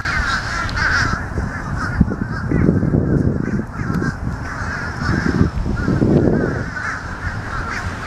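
Fish crows give nasal, clipped caws in short bursts every second or two, several birds calling over one another above a steady low rumble.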